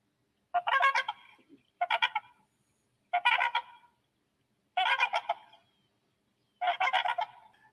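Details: Trumpeter swan (Cygnus buccinator) giving five loud, nasal, horn-like trumpeting honks, each a brief stuttering burst, one to two seconds apart; named for this trumpet-like call, heard from about 1,000 birds at a refuge.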